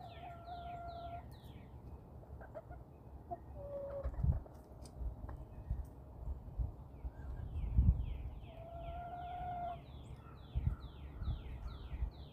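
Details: Backyard chickens roaming outdoors give two drawn-out, steady, mid-pitched tonal calls about eight seconds apart, with a shorter note between them. Rapid descending chirps from wild songbirds fill the background, along with soft thumps of movement.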